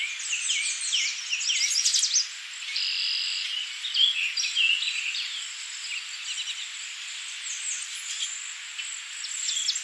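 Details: Cedar waxwing at Tawas Point, Michigan, USA, recorded 19 May 2023; thin, high, sibilant notes over a steady high-pitched whine, with a busy mix of other birds' chirps and trills throughout.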